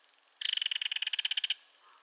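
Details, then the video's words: A single loud rattle from a belted kingfisher, about twenty rapid, evenly spaced dry clicks run together over roughly a second. "Belted Kingfisher Call"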